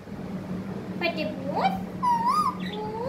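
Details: A parrot speaking indoors: a few tonal, voice-like phrases with smooth rising and falling pitch, the last two longer and wavering, over a steady low electrical hum.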